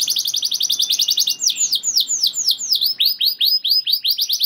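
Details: Canary rolling its song to spur other canaries: a fast high trill followed by slower, spaced sweeping whistles, each dropping in pitch, about three per second.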